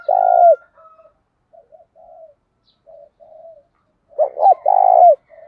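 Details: Spotted dove cooing in 'thúc' Đấu Bổi style: one long loud coo opens, then a run of soft, low, broken murmuring coos, then a loud stuttered double note and another long steady coo.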